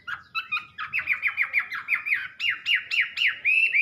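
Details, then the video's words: Wambi repeating quick, downslurred whistled notes in a regular series, roughly four a second, ending in a brighter rising whistle. "Burung Wambi || Salah Satu Jenis Burung Bersuara Indah nan Merdu"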